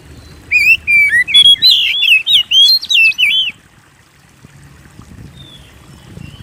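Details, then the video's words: Persistently singing Oriental magpie-robin, used as a lure to provoke song in other birds; about three seconds of fast twisting whistles and chirps, followed by near silence with a faint distant whistle. "Pancing Burung Kacer Gacor"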